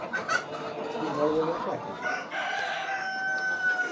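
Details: Super hybrid laying hens on an egg farm. Overlapping clucks and short squawks come from several birds, followed by a long, thin, level tone held through the last seconds.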